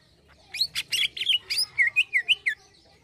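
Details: Greater green leafbird singing gacor-style 'isian halus' fine filler: several harsh, broad scratchy notes give way to a string of five clear downslurred whistles near the end, over a low background hum.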